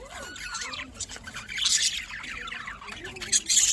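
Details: Budgerigars in the morning, recorded 5 November 2023 in Larkana, Sindh: a busy mix of squawks and warbling chirps, with a rising whistled note early on and scratchy bursts of chatter throughout, plus a faint human voice.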